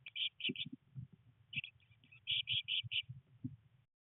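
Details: Three nineteen-day-old Eurasian blue tit chicks in a nest box, rainy weather, first flight attempts: clusters of loud high chirps in two groups, with soft thuds and rustling from the chicks moving.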